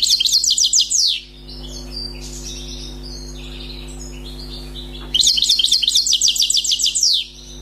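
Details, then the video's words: European goldfinch caught from the wild, its song called faultless: a quick tinkling phrase, a pause of soft scattered notes, then another long, rapid, bright twittering run above a faint steady hum. "غناء حسون بري صيد جديد"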